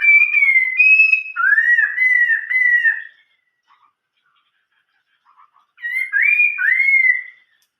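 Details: A Chinese hwamei sings in the giọng rừng già (old-forest voice) style: clear whistled notes sliding up and down over three seconds, a pause, then two more rising-falling whistles.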